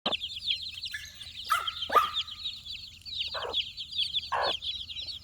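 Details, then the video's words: Four-day-old chickens searching for insects on a farm: many chicks give constant high, thin, downslurred peeps, overlapping in a steady stream, with a few lower rasping clucks and sharp clicks or scratches. "4Days old Chicks Searching for Insects"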